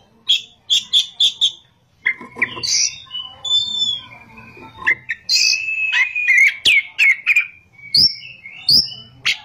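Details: Oriental magpie-robin in gacor ngerol and nembak song: a quick run of five clipped high notes, then varied whistles, slurred phrases and sharp staccato chips in a dense, rapid sequence over a faint low hum.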